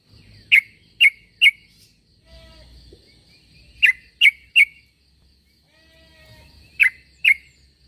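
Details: A sooty-headed bulbul calls to bring other bulbuls to answer: three quick crisp chirps, a pause with soft rumble, three more, then a final pair, over a faint thin background tone.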